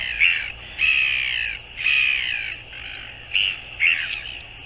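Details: Northern royal albatross, 24 January 2022: rasping, braying calls in several bursts, some long and level, others short and sharp, against constant low hiss.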